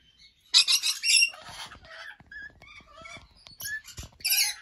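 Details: Lorikeets in an aviary in the early morning, a sharp screech burst followed by busy overlapping chatter, short squeaks and clicks, ending with another harsh shriek.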